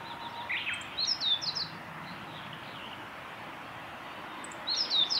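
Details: Male Meadow Bunting singing at a forest road by Miyagase Lake on 6 May 2016: two short bursts of quick, high chirping notes, the first near the start and another at the end, over steady low background hiss.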